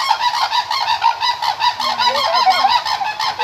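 Cranes give loud, harsh, trumpeting calls rich in overtones. The notes come in a rapid run of about four per second, and several birds seem to overlap.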